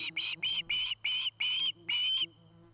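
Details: Osprey calling at its nest in Charlo, Montana, a pair's new nest site near a Great Horned Owl family: seven clipped, piercing whistles repeated in quick rhythm, then silence, with a low hum and faint lower tones throughout.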